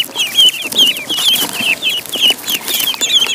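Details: Duckling in a pond: a quick run of high, thin peeps, each a short bent whistle, repeated about once a second in overlapping bursts, with faint splashy background noise.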